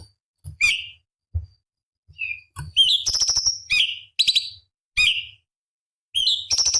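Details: Cucak cungkok, a small bird, in a master recording for training competition birds, with sharp 'tembakan' phrases: short high chirps and piercing whistled notes, some slurred downward, in quick bursts separated by brief pauses, with faint low thumps.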